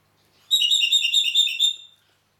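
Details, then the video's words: Red-rumped parakeet from Heraklion, Crete, singing one rippling phrase of fast, liquid whistled notes lasting about a second and a half, wavering in pitch and fading off at the end, with a clean, quiet background. "Red Rumped Parakeet - HERAKLION CRETE"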